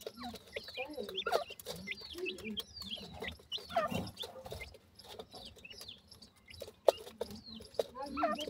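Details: Grey francolin chicks exploring their surroundings and learning to forage among kin: many short, thin downslurred chirps repeated in quick succession, overlapping from several birds, with soft clucking notes and scattered sharp clicks and handling knocks.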